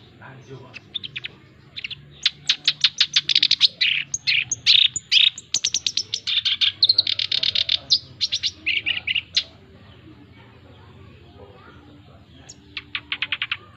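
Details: Male black-browed reed warbler singing vigorously, recorded to train and lure other birds: about seven seconds of dense, rapid harsh chattering with buzzy phrases, a quiet pause, then a final short run of scratchy notes.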